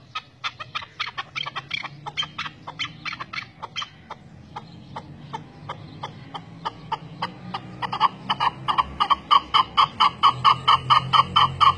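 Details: A chukar partridge lure call: harsh clucking notes about twice a second, speeding up and growing louder into a rhythmic chuckling series near the end over a faint low hum.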